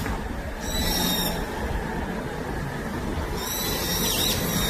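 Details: Two harsh, high, screechy Brown-eared Bulbul (Hypsipetes amaurotis) calls, each under a second, about three seconds apart, on forested Gyeyangsan mountain slopes, South Korea, over a steady low rumble of wind or distant traffic.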